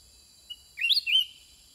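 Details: Sooty-headed bulbul singing back at wild birds in a long exchange: a brief, loud, rising-and-falling whistled phrase of a few notes, with a steady high insect drone behind.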